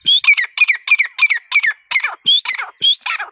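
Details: A grey partridge in breeding season gives harsh, grating two-part squawks, about three per second, each starting with a brief thin whistle.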